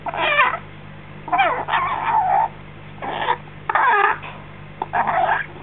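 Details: Six-week-old African grey parrot chick, freshly fed, chatters in drawn-out wavering, whining calls with bending pitch, roughly one every second, against a constant low hum.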